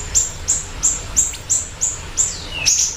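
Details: Siri-siri bird, part of a lure and master recording, giving a steady series of sharp, very high chip notes, about three per second, ending with a longer downward-sweeping note and a final chirp.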